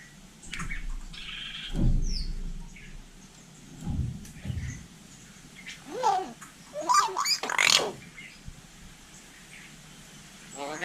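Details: Hill myna from Vietnam copying human speech: voice-like harmonic syllables with rising and falling tones, several in a row, followed by sharp squeaks and a loud harsh note. Low thumps and human talk are also heard.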